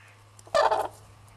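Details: A red-crowned crane at Pensthorpe Conservation Centre, Norfolk, UK, gives one loud, harsh trumpeting note lasting about a third of a second, over a steady low hum.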